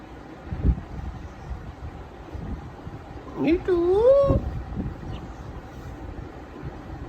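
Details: Talkative pet grey parrot, eight months old, imitating household sounds, gives a single wavering, dipping-then-rising whistle about a second long amid steady background noise.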